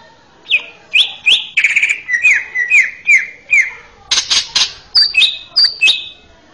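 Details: Male greater green leafbird song used to train young birds, a series of clear whistled downslurs about every half second, interrupted by harsh buzzy bursts, then high sliding whistles with chattering notes.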